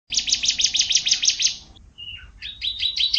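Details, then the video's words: An F1 canary sings a fast, high, bright trill of about seven notes a second, then a brief falling whistle, then another quick rolling phrase. The song is meant for training other canaries to sing actively. "Kicau Kenari F1 untuk Melatih Suara Kenari agar Gacor"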